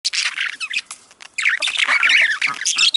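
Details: Budgerigars chattering in a sound used to stimulate budgies to breed: dense, scratchy warbling and squawky chirps that run almost without pause, broken by a short quiet gap near the middle.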